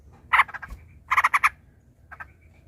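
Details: Aroused yellow-vented bulbul giving quick clusters of bright, bubbly notes: a single burst, then a rapid run of four, then softer paired notes.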